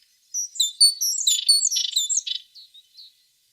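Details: Tit song opens with sharp high chirps, moves into dense buzzy chatter and fades with a few soft, thin notes.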